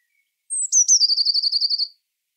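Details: A single Eurasian blue tit phrase: a high, drawn-out falling note, two crisp stressed notes, then a quick, lower, ringing trill of roughly a dozen notes lasting about a second.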